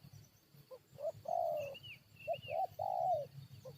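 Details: Spotted dove used as a lure to draw wild birds into a fight, giving mellow, low coos: short clipped notes leading into a long drawn, slightly falling croo, phrase repeated twice, with faint high chirps of another bird and insect hum behind.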